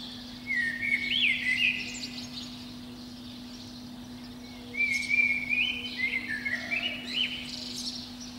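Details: Early spring morning song of a Eurasian blackbird perched atop a pine under a window. Two mellow, warbling phrases are separated by a pause of about three seconds, over a constant low electrical hum.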